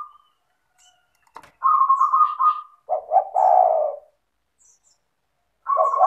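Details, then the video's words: Spotted dove, a vigorously calling bird used to prompt lazy caged doves to call: a steady hoarse coo, then two short notes and a longer, lower, rolling coo, with another coo starting at the end; a brief click before. "Pancingan bunyi suara burung tekukur gacor"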